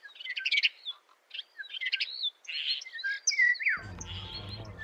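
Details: European starling chicks in a nest at a house, being fed by an adult, give harsh, scratchy begging chatter in rapid bursts mixed with squeaky rising whistles; a low rumble comes in near the end.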